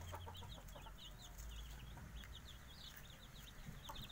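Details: Young Javanese kampung chickens aged five days cheeping loudly and continuously, strings of high quick downward slurs from several chicks, over a strong low hum and light tapping.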